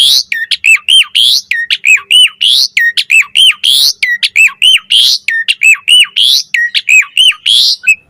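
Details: Asian pied starling in 'mompa' pumping variation song, used as a training model and lure for starlings: fast series of loud, hooked whistled notes with sharp harsh overtones, repeated nearly every second in a steady rhythm.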